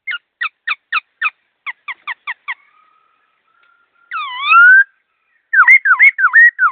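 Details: Laughingthrush singing fast and clear: a rapid train of ten sharp, zigzag chip notes, a gap, a long rising slurred whistle, then a run of hooked whistled notes; no background noise.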